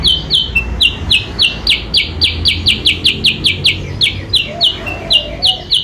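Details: Kutilang sutra, a sooty-headed bulbul, giving a lure call used to bring rival birds near. Loud, sharp, high chirps repeat quickly and fairly evenly, roughly three to four per second, with a soft low whistle late in the clip.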